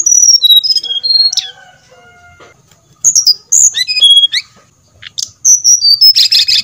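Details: Brown-chested jungle flycatcher song for luring birds into singing: a descending series of clear high whistles, faint lower tones in a pause, then further quick whistled runs and a final noisy burst.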